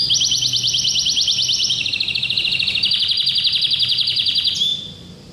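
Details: Orange domestic canary singing metallic, bright trills: a high rapid trill drops to a lower rolling run, then climbs again into a steady buzzy roll before ending abruptly.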